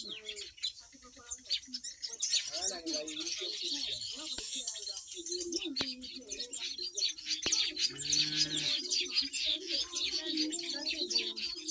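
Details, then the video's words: Black-winged weavers nesting on a homestead, tearing sugarcane leaves and flying to trees to build: a crowded chorus of high, rapid chirps and chatter, with a few lower whistled notes and scattered clicks. "Black Winged Weavers Birds Nesting on the Homestead"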